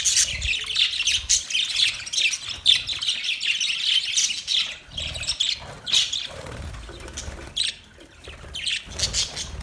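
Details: Budgies chattering almost without pause: a continuous high warbling of twittering chirps and squeaks, dipping briefly near the end before picking up again.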